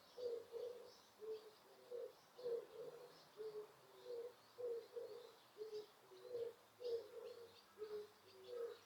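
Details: Birds calling in Osaka Castle Park, Osaka, recorded with noise reduction when no people were around: a steady run of low, hollow, cooing notes, often in pairs, repeated roughly every half second, with faint high chirps above.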